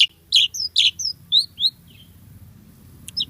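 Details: Javan pied starling in full, lively song: a short series of clear whistled notes, some slurred upward, spaced about every quarter second, then a pause and two faint high chips.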